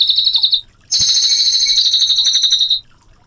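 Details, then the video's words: Short bursts of high, rapidly pulsed Cililin trill. A half-second phrase is followed by a pause, then a longer, brighter trill of almost two seconds, ending in near silence. "CILILIN GACOR SUARA TEMBAKAN AK47 NGEROL JERNIH"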